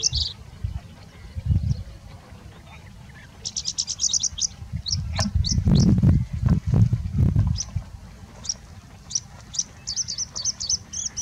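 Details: Singing bushlark song with much mimicry, quieter: bursts of rapid high chipping notes and short trills, pausing then resuming, with low buzzing and thumping noise in the middle and background wind.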